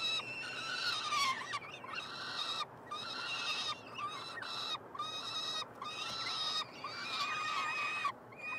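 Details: Three peregrine falcon chicks, hatched late May, being fed in a nestbox at the University of Montreal, Quebec, Canada, on 21 June 2022: harsh, drawn-out screaming wails with rich overtones, roughly one-second bursts separated by brief gaps.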